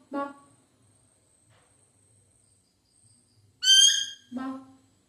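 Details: Pet parrot talking in Malayalam: a brief, high-pitched, strongly harmonic utterance partway through, framed by short, lower, speech-like voice sounds at the start and end, with quiet pauses between.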